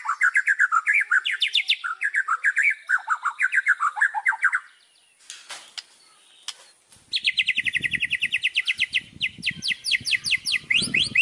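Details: White-rumped shama singing complete isian: a run of rising and falling whistled notes, a short pause with faint knocks, then a rapid series of high buzzy upslurred notes over low background rumble.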